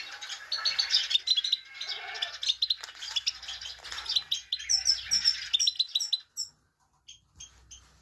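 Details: A female Himalayan goldfinch uses its 'peet peet' call to stimulate a male: dense, high twittering chirps for about six seconds, then a few isolated notes and a low background hum.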